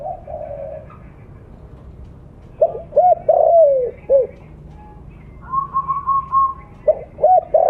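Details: Lure call of a loud mottled blorok spotted dove: a coo at the start, then a full phrase of short notes and a long falling coo. Higher steady tones follow before the phrase begins again.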